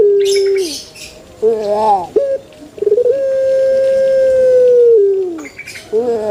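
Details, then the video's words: Pelung chicken crowing: a short falling opening note, wavering rising notes, then a long, steady drawn-out tone held for about two seconds that slides downward at the end, with brief high scratchy noises in the background. "THE BES ORIGINAL SOUND // puter pelung Andalan"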